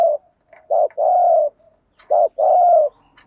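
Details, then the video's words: Spotted dove used as a lure bird, calling 'thúc gù': two pairs of a short coo and a long deep drawn-out coo, with faint soft notes in between. "chim cu mồi bài bản THÚC GÙ bài bản nhất hiện nay, cu cườm bài bản dùng kích bổi hiệu quả"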